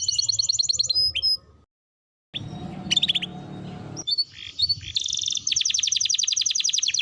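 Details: Canary song used as a lure for young birds learning to sing: short high trills, a pause, a noisy stretch with scattered chirps, then a dense, rapid, high trill to the end.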